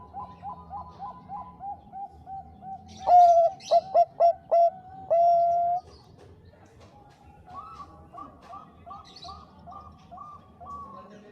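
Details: Bangkok-type zebra dove song used as a lure to provoke rival birds: soft repeated coos, then loud stuttering trilled notes ending in a long held coo, followed by a run of rolling, bubbling coos.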